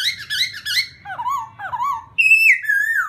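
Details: Laughingthrush song aimed at rousing a newly caught bird, made of quick wavering whistles, then two lower swooping notes and a loud, high, sliding whistle that falls away.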